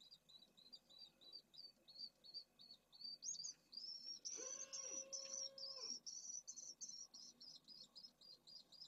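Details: Pallid swift nests in Jerez de la Frontera holding eggs and well-developed chicks. A fast series of high chirps runs on and rises into a louder, continuous buzzy trill. A lower, harmonic, droning tone joins briefly in the middle.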